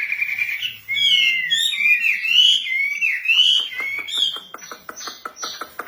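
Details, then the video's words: Female wambi giving a fluid, warbling whistled song of looping rising and falling notes, followed by a series of rapid sharp clicks and a few high thin whistles. "burung wambi cewek gacor"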